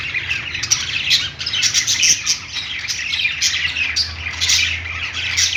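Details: Budgies perched in a pet store chatter continuously, with quick high chirps and buzzy warbles overlapping; a low steady hum runs underneath.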